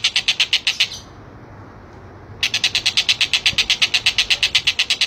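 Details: Collared kingfisher, kept as a tutor voice for training competition songbirds: a rapid run of harsh, high, evenly spaced notes, roughly three per second, breaks off for about a second and a half, then resumes at the same quick pace.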